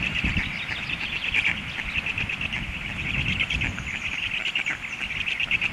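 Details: Hungry stork chicks beg at the nest in a steady, rapid chorus of raspy, high-pitched pulses, overlapping continuously, with low rumbling background noise beneath.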